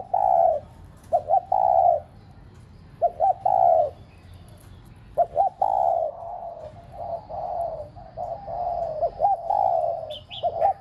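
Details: Spotted dove kept as a decoy to get pet doves cooing. Repeated phrases of paired short notes, each followed by a long smooth coo, run close together and overlap. A faint high chirp comes near the end.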